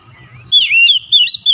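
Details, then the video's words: Oriental magpie-robin singing loudly: a brief burst of bright whistles, one sliding down then steadying, followed by two more sustained warbled notes, over faint low hum. "TEMBAK SUARA KACER LANGSUNG GACOR"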